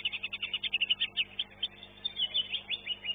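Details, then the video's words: A competition greater green leafbird, second place in its class at a Surabaya contest, sings a fast, high run of chattering, chirping notes, about five a second, with a few brighter slurred whistles. "CUCAK IJO"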